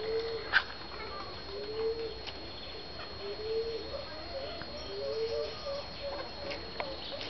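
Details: Satyr tragopan displaying frontally in courtship, uttering low, soft hoots that rise a little, spaced one to two seconds apart, with a sharp click and faint bird chirps behind.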